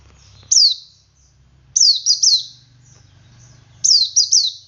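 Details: Male Oriental white-eye singing in ngalas style, used to prompt other white-eyes to sing: thin, high, downslurred whistled notes in short bursts of one to three, separated by pauses of about a second, over a faint low hum.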